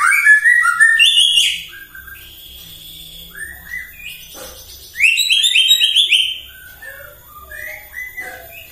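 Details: White-rumped shama's morning provoking song: an opening torrent of fast, high whistled notes, a quieter stretch of scattered soft phrases, then another bright burst fading into sparse notes.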